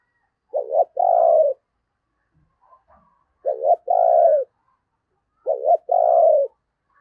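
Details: Decoy spotted dove calling to attract wild doves: three identical phrases about every two and a half seconds, each a quick doubled note followed by a longer, smooth, gently falling coo.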